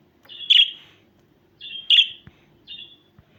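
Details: Budgerigar chirps: two strong high notes about 1.4 seconds apart, each with a softer lead-in, then a fainter trailing chirp, with light clicks in a quiet room.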